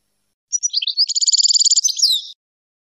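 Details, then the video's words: European goldfinch song meant to teach young goldfinches and hybrids: a few twittered intro notes lead into a fast even trill of bright high notes, ending in a descending twanging slur. "جديد لغة الحسون لتعليم وتلقين فراخ الحسون والهجين"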